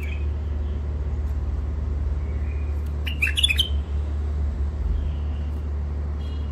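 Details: Wild-caught bird from the Mandali crossing area of Iraq, in first isolation, delivers a sudden loud cluster of sharp chirps lasting under a second, with faint thin whistles before and after and a steady low hum throughout.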